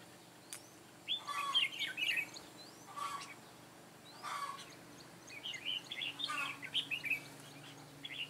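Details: Red-whiskered bulbul decoy of the Mũ lân Ché type singing to draw wild birds to a trap, 9 June 2017. Chattering, warbled phrases occur in two main groups, interspersed with sharp rustles.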